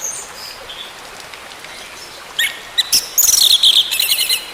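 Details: Orange-headed thrush, used as therapy for a bird that stopped singing: quiet faint notes at first, then loud high whistled phrases with harsh bursts and rapid trilled notes in the second half.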